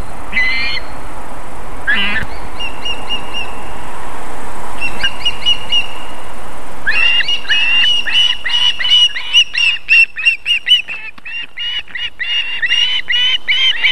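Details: At an Estonian osprey nest in Võrumaa, evening of 31 July 2021, during the female's feeding of the chicks: scattered thin whistled notes at first, then after several seconds a dense, fast chatter of repeated whistles that gradually breaks up.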